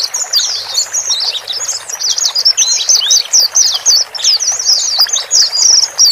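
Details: Male and female white-eyes calling, used to coax a newly bought bird to settle alone in a new cage; a dense stream of very high, thin chirps and short twittering notes flows almost without pause.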